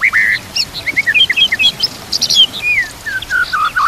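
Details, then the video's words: Varied song of a white-rumped shama meant for teaching other shamas: a steady whistle, quick chattering notes, then smooth downslurred and level whistles, with nature and water sounds. "Putar Suara ini Setiap Pagi dan Sore, Agar murai batu makin Fighter"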